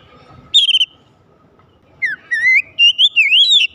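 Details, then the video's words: Magpie-robin singing to spur other magpie-robins to sing: a short bright whistled note, a pause, then a run of clear rising and wavering whistles, loud and clean. "kicauan terindah memancing Kacer lain langsung gacor"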